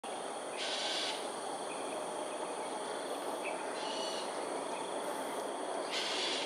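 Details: Cockatoos during an aerial display over Sungei Ulu Pandan, Singapore, at 7.43 am on 13 January 2022: three distant, harsh, raspy screeches spaced a few seconds apart over a steady hiss of insects.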